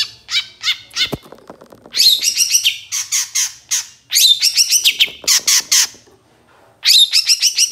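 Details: Long-tailed shrike master recording for training songbirds, with a varied, loud song of rapid chattering trills, sharp chips and harsh buzzy bursts in quick phrases, broken by short pauses.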